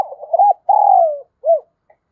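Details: Decoy spotted dove, giọng thổ voice, calling to draw and provoke wild doves. One loud phrase: fluttering opening, a rounded coo, a long gently falling coo and a clipped final hoot, in silence otherwise.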